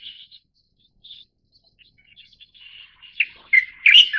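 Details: Light-vented Bulbul, subspecies Pycnonotus sinensis formosae, from Taiwan: quiet scattered chirps and a faint warble, then loud slurred whistled notes rising at the close.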